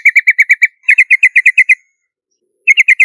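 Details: Yellow-vented bulbul, a lure recording, giving rapid bursts of bright, chirping notes in three quick runs of six to eight, with short pauses between, on a clean, quiet background.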